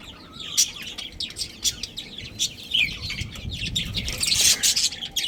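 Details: Budgerigars, a breeding pair in a colony, chirping in quick scratchy high bursts and warbles, building to a louder buzzy chatter toward the end.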